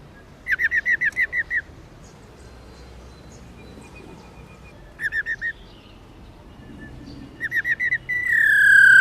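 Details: Female black-throated laughingthrush, subspecies lugens, giving 'ro' calls used to excite male birds into singing: bursts of quick, evenly repeated clear notes, seven then four then four, ending in a loud sustained whistled tone.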